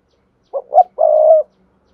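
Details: Spotted dove decoy song used through a loudspeaker to stir wild doves into cooing: a pair of brief mellow notes, then a drawn-out level coo about half a second long, in silence.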